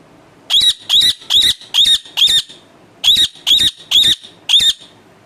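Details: Pet parrot squawks in two groups, five then four, each a short harsh high-pitched rasp repeated roughly every half second, separated by a brief silence.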